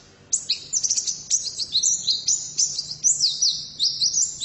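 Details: Female white-eye singing an energetic run of high, sweet chirps and slurred whistles, closely spaced and sustained throughout after a brief quiet start.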